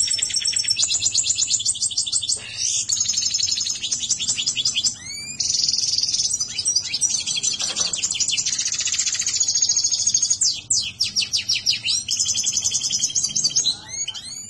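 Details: European goldfinch song: a long, continuous, high-pitched twittering stream of rapid tinkling trills and buzzy notes, with brief pauses, over a low background hum.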